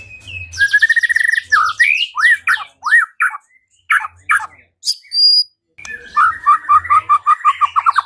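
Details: White-rumped shama song meant to provoke singing and fighting: a series of harsh descending squawky notes, a pause, then a fast repeated rising trill.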